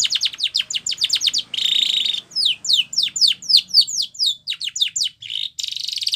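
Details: White Spanish Timbrado canary singing a training song for young canaries: fast series of high, sharply falling whistled notes, then a metallic buzzing roll, more descending slurred notes and another rolling trill near the end.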